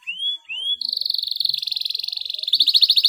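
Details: Canary singing a clear rolling song to coax mute canaries into song: two upslurred whistles, then a long, even roll that quickens near the end.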